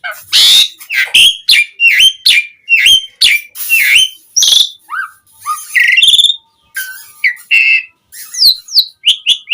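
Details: Energetic Asian pied starling song used as a lure so other starlings call back. Rapid repeated whistles with upslurred ends build into a busy medley of squeals, chips and bright whistled phrases.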